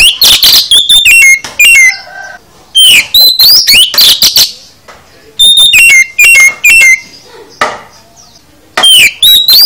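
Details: Full isian song of the oriental magpie-robin (kacer), used to get other kacer singing: long runs of loud, sweet whistles, falling slurs and rising sweeps in repeated bursts, with brief silences between phrases.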